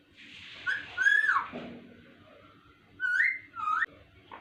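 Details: Pet ringneck parrot, called miyan mithu, talking indoors. Clear whistled notes in two pairs, rising and sliding, with a pause of about two seconds between the pairs and a quiet room hum beneath.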